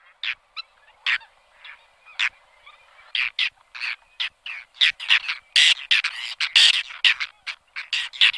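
Whiskered Tern giving harsh, rasping calls, sparse at first and then a rapid chattering series of short scratchy notes from several birds.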